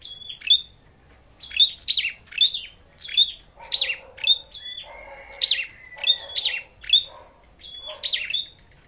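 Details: Red-headed flowerpecker in a song duel: regular bursts of high, sharp ticks ending in short whistles, roughly one each second, with a thin drawn-out rising whistle and soft low murmuring midway.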